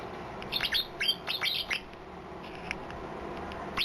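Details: Softer white-eye phrase of strange fill-in song: a jumbled cluster of blurred, downward chirps in the first two seconds, then quiet, with one more chirp at the end.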